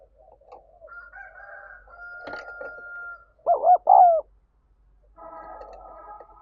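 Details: Spotted dove calling to stir up decoy birds, a loud pair of hoarse, wavering coos in the middle, after soft murmuring and a faint steady whistle, then more quiet background murmuring.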